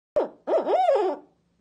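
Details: A rehabilitating barred owl in a crate, suspected to have been hit by a car, calls one morning as its crate is cleaned: a brief hoarse note, then a wavering, quavering hoot rising and falling for about a second before trailing off.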